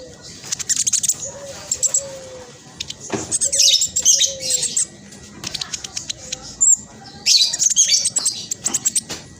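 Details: Black sunbird, spotted form, in rapid dense chattering meant to draw other birds into singing: high squeaky bursts separated by gaps, with a few soft lower whistles beneath.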